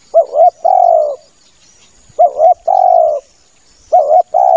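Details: Male spotted dove's lure call, used to attract doves for hunting: a short wavering double note followed at once by a longer, level, hoarse coo. The phrase repeats about every two seconds, with a faint steady high hiss behind it.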